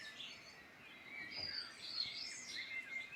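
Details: Midland Irish countryside birds in full song, with bright rapid warbles and sharp high notes that overlap. Short bursts follow one another unevenly, a little louder around the second second, over soft steady ambient noise.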